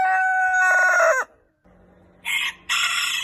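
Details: The tail of a rooster's morning crow: a held tone that breaks and drops away, then a short pause and two harsh, noisy bursts, with a faint steady hum in the background.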